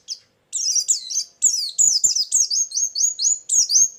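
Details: Trapping lure song of a white-eye: after a short pause, a lively continuous string of high sliding chirps and whistles.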